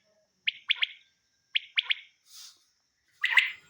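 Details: Two crisp three-note phrases from a calling male quail, separated by a pause of about a second, followed by a brief hiss and a louder blurred note.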